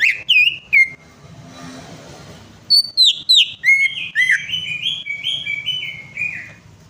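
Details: Greater green leafbird song used to coax a bird that has stopped singing: a few sharp whistles, a short hush, then a rapid stepping series of bright whistled notes that falls from high to middle pitch and levels into steady, slurred phrases.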